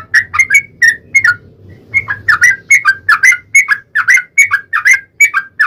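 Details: Yellow-vented bulbul in full song, played as a lure to provoke another bird to answer: loud, continuous bubbling, gurgling whistled phrases, quickly repeated and slightly varied, with a low background rumble.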